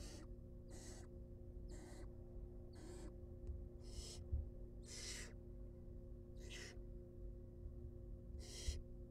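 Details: Wild barn owl young in a research nest box as food arrives, nine breathy screeching hisses, some short and some drawn out, over a constant low hum.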